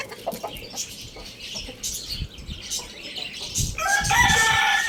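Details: Lohmann Brown rooster at Lalukhet bird market crowing loudly. A loud, sustained harmonic crow begins near the end, after a stretch of short clucks and high chirps from many small caged birds.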